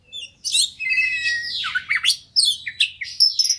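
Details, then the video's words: Persistent fighter-type Oriental magpie-robin singing as a lure to draw out other birds' mimicked repertoire: bright whistled phrases with rising and falling slurs, then sharp high chips and bursts, loud and close, in a quiet room. "KACER NGOTOT PANCINGAN KACER CEPAT FIGHTER BONGKAR ISIAN"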